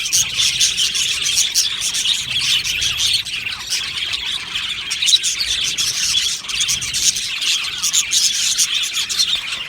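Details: Budgerigars (Australian budgies) in an aviary colony, singing and chirping: a dense, continuous chorus of high warbles, chirps and squawks, with many birds calling at once throughout.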